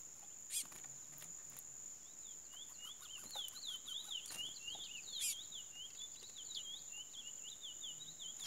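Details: Chestnut-bellied seed finch, called curió preseiro, singing a quiet, continuous run of rapid, warbling whistled notes that rise and fall. A steady high-pitched whine and scattered clicks run underneath.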